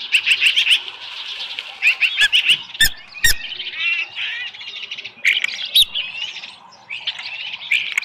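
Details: Osprey calling at the Dunrovin Ranch nest on a July 2018 morning as a small live fish is brought in; shrill piping chirps in rapid strings, with a couple of sharp clicks or knocks mid-sequence.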